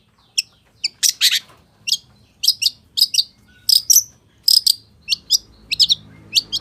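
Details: Long-tailed shrike delivering full-isian song: crisp chirps and clipped twitters, including a few chattering bursts, spaced irregularly across the clip against a quiet background.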